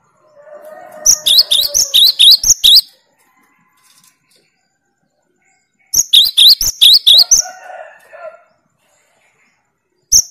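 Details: Cinereous tit delivering its 'tembakan' challenge song against rival birds: two fast bursts of roughly eight shrill, clipped notes each, about five seconds apart. A faint low buzz comes before and between the bursts.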